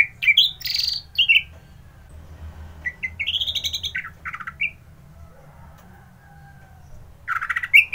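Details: A kept orange-headed thrush in Bali, Indonesia sings in the morning: varied loud phrases, sweet whistles mixed with harsh scratchy notes, in bursts separated by pauses over a low background hum.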